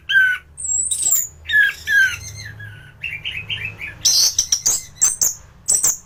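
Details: A thrush (anis) in strong singing form, its song used to train other thrushes: varied whistled phrases mixed with lower chattering notes, then a quick series of shrill, high, clipped notes.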